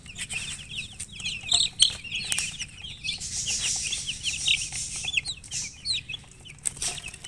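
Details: Domestic chickens, described as colored hens, chirping as a dense overlapping chorus of high, short peeps and twittering notes running almost continuously, with a faint low hum underneath.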